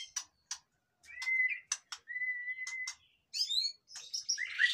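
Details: White-rumped shama, caged, singing to encourage quiet birds: spaced sharp clicks, then long level whistles held about a second, followed by high chattering notes.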